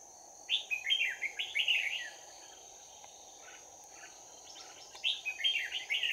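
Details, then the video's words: Red-whiskered bulbul decoy bird in a trap, singing a fighting song: a rapid chain of loud, bubbling whistled notes, a pause, then another quick warbled burst, with a faint steady high tone behind. "Bẫy chào mào Giọng chuông đấu giáp lá cà"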